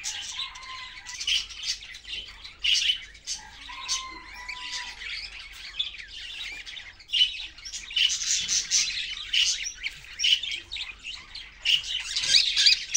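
Budgerigars chatter nonstop in bright, scratchy chirps, broken by a few clear whistled notes.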